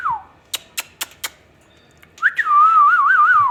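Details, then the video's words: Talking ringneck parrot gives a short falling whistle, then four sharp clicks, then a rising sweep that settles into a long warbling whistle. "parrot amazing ringneck| |talking"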